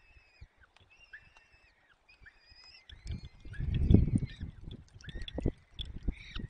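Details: Peregrine falcon male feeding chicks at the nest in the Barycz Valley, Poland, 30 April 2020; a few spaced, harmonic wails at first, then loud low rustling and thumping of feeding over continued calls.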